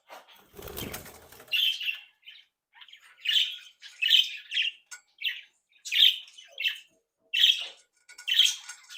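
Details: Active, playful captive budgerigars, a happy breeding flock, twittering and chattering: repeated short squawky chirps and warbled phrases in quick succession after a brief rustle.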